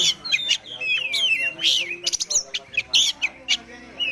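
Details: Oriental magpie-robin, a released bird with a rich varied repertoire, singing a fast medley of clear sliding whistles, sharp chips and buzzy notes with hardly a pause.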